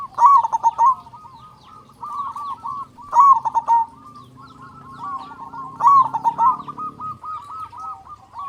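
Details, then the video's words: Local Indonesian zebra dove, a loud-voiced bird used as a lure to stir silent or stressed doves into calling, giving rapid bubbling coo phrases with a chattering trill, repeated roughly every three seconds, over a faint low hum. "Perkutut Lokal Gacor Suara Besar Pancingan Burung Perkutut Agar Cepat Bunyi"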